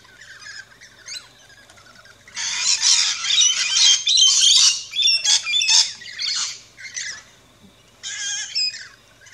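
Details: Rainbow lorikeets at an Australian backyard feeding station break into a dense, harsh screeching chorus lasting several seconds, fading to soft chirps before another shrill burst.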